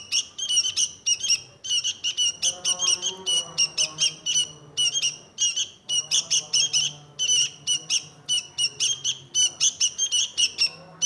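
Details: Sooty-headed bulbul pouring out dense, scratchy chatter for over ten seconds, note bursts tumbling almost continuously, with a soft low droning tone underneath.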